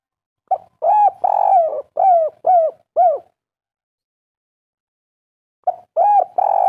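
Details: Soft 'kuk 3' cooing of a local wild-type spotted dove in full voice: a short lead note, a long drawn coo, then three quick arched coos, silence of nearly three seconds, then the phrase begins again.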